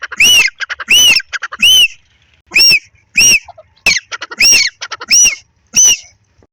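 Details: Grey francolin pair calling in a field during breeding season: strident, arched squawks given in uneven runs with short gaps, softer ticking notes between them.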